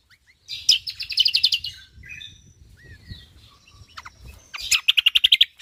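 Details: Lombok white-eye singing in tight, rapid volleys: a fast run of high chirping notes, a quieter stretch of thin rising whistles, then another quick stuttering burst of sharp repeated notes.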